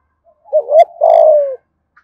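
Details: Spotted dove from Đồng Nai, Vietnam, giving a 'thúc gù' coo in the 'giọng thổ' voice style: two quick rising notes, then one long, steady, slowly falling coo, with no background sound.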